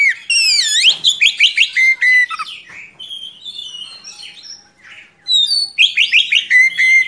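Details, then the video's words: Oriental magpie-robin singing a long, rolling song as a tutor for young birds: loud varied whistles, sweeping slurred notes and rapid chattering phrases, with a quieter pause in the middle. "Kacer Gacor Ngerol Panjang Cocok Untuk Masteran Kacer Muda"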